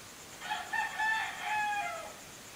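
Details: Rooster crowing early in the morning while on vacation; one drawn-out crow with several rising and falling harmonic notes over steady background hiss.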